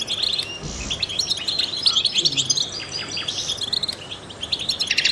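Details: European goldfinch, a trained singer used to stimulate other songbirds, giving fast high twittering and chirps in continuous chattering phrases, with brief soft low sounds in the background.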